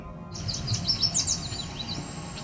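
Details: A Cedar Waxwing gives a very high, thin, faint, drawn-out whine after a Yellow Warbler song, among bright chirping, on the Otter Lake trail near Cape Chin North, Ontario, in edge habitat on 17 July 2019.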